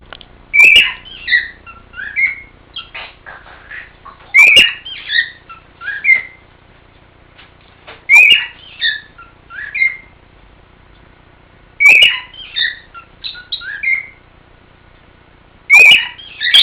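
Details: A male pet cockatiel sings short warbling whistled phrases, repeated about every four seconds, directed at a female cockatiel.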